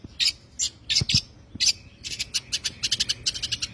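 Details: Long-tailed shrike in 'tembakan' song style, used to train songbirds: spaced harsh high notes with a couple of low thuds, then a quickening series of short, sharp chattering notes.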